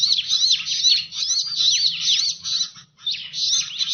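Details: Bar-winged prinia lure recording for attracting birds: high, rapid chirping with sweeping notes about twice a second, a short pause near three seconds, faint low hum underneath.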